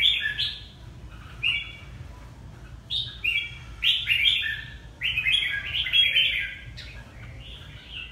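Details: A red-whiskered bulbul from Ha Tinh, Vietnam, sings a string of loud, clear, slurred whistled phrases, short notes leaping up and down, grouped in bursts roughly every second with brief silences between.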